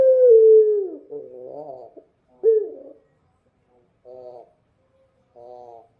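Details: Night-time dove song. A loud, falling, drawn-out coo is followed by a rough, wavering phrase, then a sharp second burst and two soft, separate, short notes after pauses.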